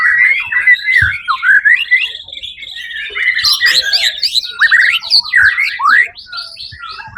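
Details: White-rumped shama in competition at Suara Agung, 1 October 2023, winning first place; varied song of whistled slurs, then a dense passage of buzzy high chatter and sharp rising notes.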